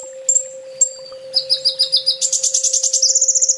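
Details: Sunbird master song: a couple of high thin whistles lead into an accelerating, rapid, high buzzy trill that grows denser and continues to the end, over a low electrical hum.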